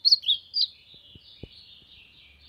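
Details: Ultramarine grosbeak singing to warm up, giving three loud, sharp whistled notes in quick succession, followed by a faint trailing warble, with a few soft knocks and low hum in the background.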